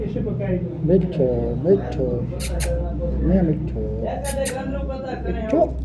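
An Alexandrine parakeet talks in clear, human-like phrases with rising and falling pitch over a steady low hum, broken by a couple of sharp clicks.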